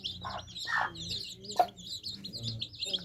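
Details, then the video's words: Drinking baby chicks give overlapping high, wavering peeps over a low background hum, with three broad knocking bursts in the first half. "Adorable Baby Chicks Quenching Thirst Chicks Sound Effects For Kids"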